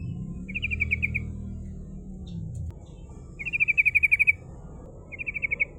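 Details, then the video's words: Rolling 'ngerol' trills of a female sooty-headed bulbul, used to lure rivals: three quick bursts of chattering notes, the middle one longest, with a low engine-like rumble at the start. "Suara trucukan betina gacor ngerol ‼️ Disukai lawan ampuh untuk pancingan"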